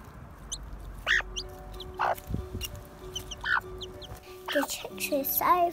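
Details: Newly hatched Serama chicks, hatched under a broody hen, give short, high peeps while the hen answers with soft, low clucks in scattered bursts as they talk to each other, over a child's voice and faint background music.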